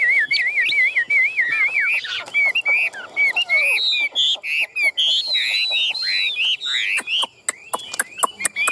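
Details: Caged Chinese hwamei in Vietnam opens with a wavering warbled trill, then loud rising and falling whistled phrases interspersed with sharp clicks.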